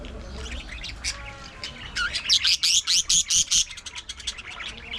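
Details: Budgerigars in a colony aviary give a fast string of loud, evenly spaced sharp chirps, about seven in a row, over steady background chatter from other birds.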